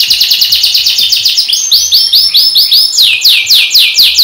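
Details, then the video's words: A Kenari Super Konslet canary sings a fast, continuous stream of high rolling trills and chirps, switching to sweeping downward notes near the end, with faint low background noise. "Kenari Super KONSLET"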